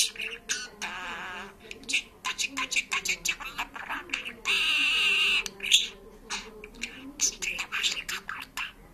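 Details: Parrot that talks and sings in Georgian alternates fast speech-like syllables with a sustained, tonal sung note lasting roughly a second, then more chatter.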